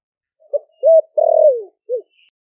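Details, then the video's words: One low four-note phrase from a caged Ninh Thuận spotted dove, four months captive, singing the 'thổ sấm' voice used to call doves in: short, held, long downward-gliding, short, in a quiet setting. "Cu gáy kích bổi nhanh nổi GIỌNG THỔ ĐẶC ( THỔ SẤM )gáy gọi bổi về,cu gáy ninh thuận bổi 4 tháng lồng"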